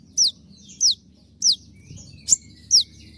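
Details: Konin delivering 'tembakan' shots, recorded as a master for training cage birds: five piercing, quickly falling high notes about 0.6 seconds apart, with one short click, over a soft low rumble.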